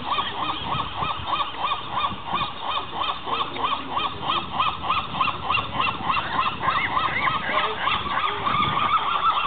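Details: A colony of gulls at a ruined building on Alcatraz Island fills the air with harsh, nasal calls, several birds overlapping at about three calls a second, with no pause in the din.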